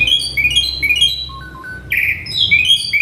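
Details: Agitated male Asian pied starling delivering mimicked sounds: quick stacked whistled chirps stepping up and down, a few lower piping notes, then a buzzy burst and more bright rising whistles.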